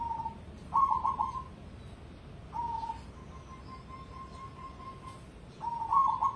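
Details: Zebra dove of the cemani line, a competition bird, alternates short coos, stuttering trills and one long even drawn-out note, soft and low-pitched.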